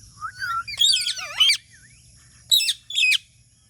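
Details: Talking parrot giving a rising whistle into squeaky, warbling chatter in two quick bursts, then after a pause two short, harsh, scratchy chirps.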